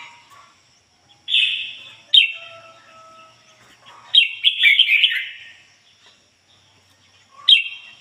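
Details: Caged decoy red-whiskered bulbul in ngoi bổi style. Loud whistled phrases with sharp downward slurs alternate with a rapid warbling run and quiet gaps, and a faint steady tone sounds in between.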